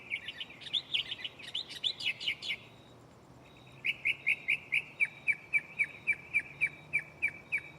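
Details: Mockingbird singing at night in a tree close by, part of its shuffling repertoire of mimicked sounds: a jumble of quick varied chirps, a pause, then a steady series of sharp repeated notes about four per second.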